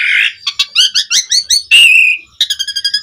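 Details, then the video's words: Javan pied starling, its song played as a lure for other starlings: harsh buzz, a string of rapid bubbling chirps, a long even whistle, then fast repeated squeaky notes. "Suara Kicau Jalak Suren Gacor Mompa buat Pancingan OCEHAN semua Burung Jalak Agar Gacor Full Isian"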